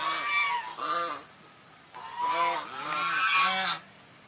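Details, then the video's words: Two quick nasal honks from a swan, a pause, then a longer run of harsh, bugling notes before it stops. "Swan Calling Sound"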